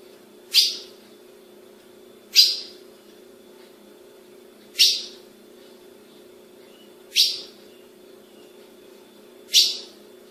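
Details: Female ultramarine grosbeak calling: five single, sharp, high chip notes spaced about two seconds apart over a constant low background hum.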